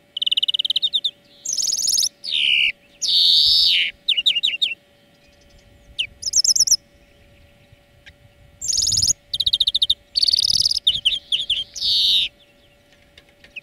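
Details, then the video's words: European greenfinch singing for a bird-training lesson: dense, energetic song mixing rolling trills, rapid twitters and harsh buzzy wheezes in long bursts, with one short quiet break midway. "Florya Ötüm Dersi"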